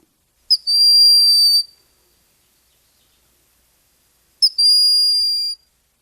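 Broad-winged Hawk giving two thin, high, steady whistles, each a brief pip then a long held note, about four seconds apart; nothing else is heard.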